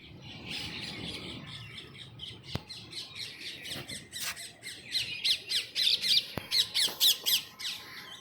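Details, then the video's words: Birds chirping in the evening outdoors: a busy chorus of high, sharp, rapidly repeated chirps, growing louder and more insistent toward the end, with a couple of sharp clicks. "natural Bird Chirping Sound"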